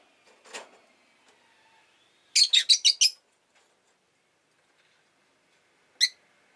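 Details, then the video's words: Rosy-faced lovebird kept at home chirps a fast run of five grating notes, then one lone chirp after a pause, over a faint earlier rustle. "Lovebird Chirping Sounds"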